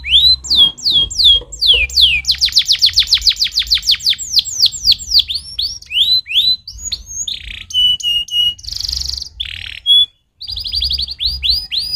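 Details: Canary's stimulating song opens with repeated rising whistled sweeps, breaks into a rapid rattling trill, then shifts to flat piping whistles, a buzzy burst and a short silence before quick rising chirps resume.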